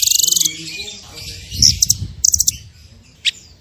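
A Blue Nuthatch opens with a rapid, high trill of about ten even notes in half a second, then a few sharp scattered chips over faint rustling background noise.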